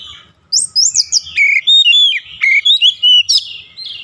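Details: Daily training song of the oriental magpie-robin for fast long rolling: a continuous string of clear whistled notes, sweeping slurs and sharp chips delivered rapidly for about three seconds.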